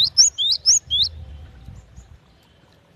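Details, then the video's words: Female cinereous tit calling the male: a quick run of five bright, high, down-slurred chirps in the first second, then near silence, with a faint low hum underneath. "Suara gelatik batu betina"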